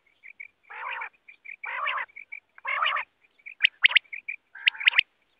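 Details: Wild quail heard in a net-hunting context: three loud rasping, buzzy bursts, then sharp whistled triple-note phrases, with soft repeated chip notes throughout.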